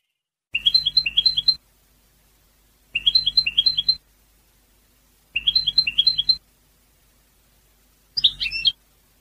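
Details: A European goldfinch repeats one bright, tinkling phrase of quick stepped notes three times at even intervals, then gives a single different, sharper burst at the end. A faint low hum accompanies each phrase.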